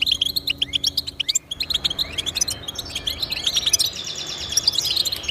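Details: European goldfinch song aimed at motivating pet goldfinches: a quick series of bright high chirps, a short pause, then a denser, slightly buzzy twittering passage.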